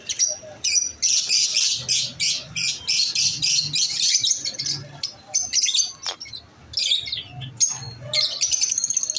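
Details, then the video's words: Masked lovebirds chirping in fast, pulsing, buzzy bursts, quickening into a rapid run of shrill notes early on, then breaking into scattered high chirps and squeaks. "Lovebirds chirping sound"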